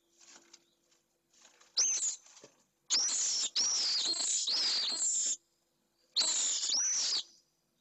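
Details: Pallid swifts, two birds meeting at a nest in Jerez de la Frontera, Spain; loud shrill screaming calls in long buzzy bursts of about a second each, with sharp descending whistled onsets, separated by brief silences.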